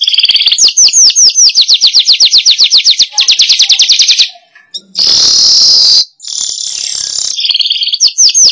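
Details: Weaver call played as a lure for wild weavers: four seconds of rapid, repeated high chirps, a short gap, a loud buzzy hiss, more sizzling, and then the chirping series starts again.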